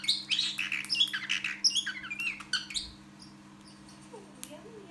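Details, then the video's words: A parrotlet imitating R2-D2 from Star Wars runs through quick, high chirps, squeaks and warbled whistles like a robot's beeps for about three seconds, over a faint steady room hum. "R2D2 Star Wars imitation by Ozzie parrotlet"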